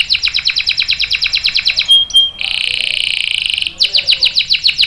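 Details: Singing canary, long rolling song for luring and tutoring young birds: fast pulsed trill, a brief clear whistle, a dense buzzing trill for over a second, then the pulsed trill returns.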